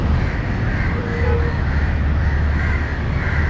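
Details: In Matara, Sri Lanka, crows shout at a dog approaching a fallen crow. Harsh caws rise and fall in a massed chorus, partly masked by a strong low engine-like drone.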